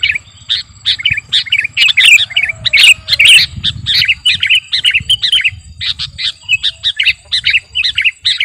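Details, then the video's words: Kutilang garuda sooty-headed bulbul in gacor song for training and luring; continuous busy run of squawky chirps and bubbling notes, fairly even rhythm, faint low rumble throughout. "Burung KUTILANG GARUDA Gacor..!! cocok buat pikat masteran"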